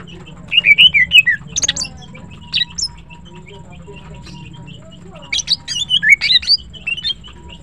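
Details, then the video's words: Greater green leafbird, known locally as green cucak, singing melodiously in the morning; a run of clear rising and falling whistles, a pause, then a livelier sequence of sharp chirps and warbled notes. "Green Cucak birds sing melodiously and are pleasant to listen to"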